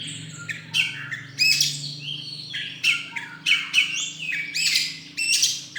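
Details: Contest-winning magpie-robin at a bird song competition, 26 November 2023, giving harsh, squawky bursts mixed with short whistles, roughly one burst each half-second, above a low steady background drone.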